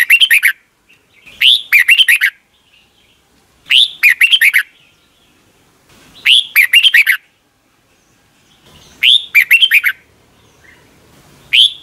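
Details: Red-whiskered Bulbul song from Thailand, kept caged and played every morning so young birds can copy it. Short bubbly phrases of clear rising whistled notes come in bursts roughly every two to three seconds, with silence between.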